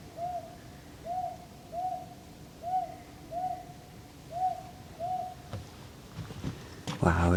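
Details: A very vocal owl sitting on top of an old tree in a Korean forest in the morning: seven soft, arched hoots spaced under a second apart, then a brief rustle and handling noise at the end.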